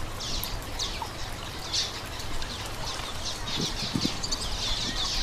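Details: Common waxbill piping: clusters of brief, high, sharp chirps repeating about twice a second, with a few low thumps near the end over a steady hum.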